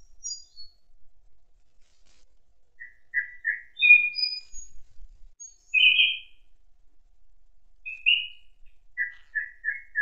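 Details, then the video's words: Autumn forest thrush delivering scattered song phrases: high thin notes early, then short whistles, a louder burst mid-way, and a closing series of four quick repeated notes. "Пение Дрозда"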